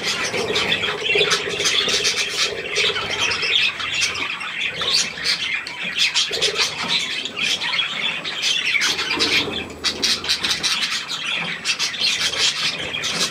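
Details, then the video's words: Budgerigars, adults with young, at millet on 3 May 2024: dense, continuous chattering of many birds with rapid squawks and chirps, plus a lower steady murmur in the first few seconds. "Hirse und die Jungen Wellis"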